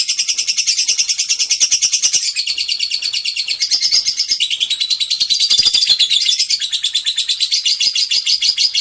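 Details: Lovebird giving a long ngekek trill: an unbroken, very high, fast chattering trill of rapid pulses, stepping slightly up and down in pitch every couple of seconds and running the whole length with no other sounds.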